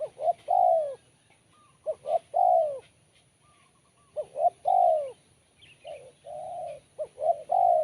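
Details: Sharp, crisp spotted dove song given again and again: four coo phrases, each of short lead-in notes and a long falling coo. Brief high chirps from another bird are heard in one pause.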